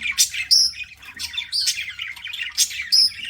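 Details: Eating budgies give loud bursts of chirps and thin high whistles, interleaved with a steady warbling chatter.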